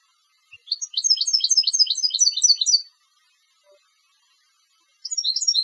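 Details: Competition-bred European goldfinch giving a bright, fast twitter of repeated high chirps lasting about two seconds, then a second twittering burst starts after a quiet gap.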